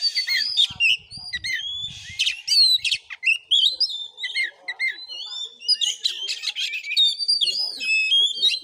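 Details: Oriental magpie-robin (kacer) in a fighting song session, tested in Padang Gading village, Sungai Rumbai, Muko Muko, Bengkulu, Indonesia: loud varied whistled and chattering phrases, rising and falling notes, harsh buzzy bursts, faint low thumps.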